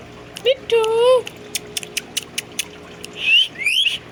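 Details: A happy, dancing Indian ringneck parakeet imitating a cat's meow. One nasal, wavering meow-like note is followed by a run of dry ticks, then two higher, thinner squeaky notes near the end.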